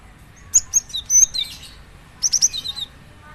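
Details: High, clear whistled phrases from a cinereous tit: rapid strings of sharp slurred notes, first a longer burst then a brief repeat after a pause, with a soft low background hum.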